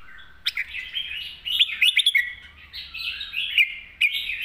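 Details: Red-whiskered bulbul singing a bubbling master song, continuous warbled whistles with quick rising and falling notes, sharp clicks interspersed and a faint low hum underneath.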